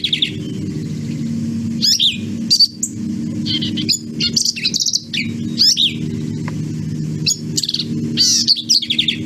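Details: Black-capped Vireo song, nasal and emphatic, built from very short notes and phrases: quick bursts of sharp, high chips and slurred notes, separated by brief pauses, over a steady low hum in the background.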